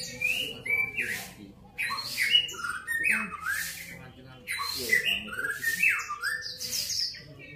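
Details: Grey-cheeked bulbul giving lively, varied song: short whistled and slurred notes, some rising and some falling, in quick bursting phrases with brief pauses. Loud rushing, hissing noise bursts break in repeatedly between the phrases.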